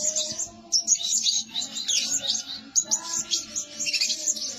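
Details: A lure bird, a blue-crowned hanging parrot said to call by day and by night, gives a rapid run of shrill, squeaky chirps in two long bursts over a faint steady low hum.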